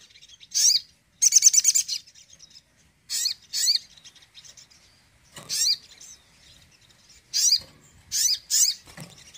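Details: Crimson sunbird tembakan song aimed at lifting a sluggish bird's mood: sharp high swooping chirps and short dense trills in separate bursts with quiet gaps between.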